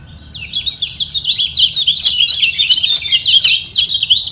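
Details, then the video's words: Yellow white-eye (kecial kuning) in a sound battle to hold its place at the top, rivals equally strong; an unbroken, busy stream of high, rapid chirps and trills fills the whole stretch. "Demi Mempertahankan Posisi Kecial Kuning Ini Perang Suara Di Bawah"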